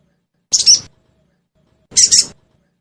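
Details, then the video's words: Sogon lure recording meant to get caged sogon birds calling fast: two high, dry, double-noted chirps about one and a half seconds apart, with silence around them. "Suara Pancingan Burung Sogon Bahan Agar Cepat Bunyi"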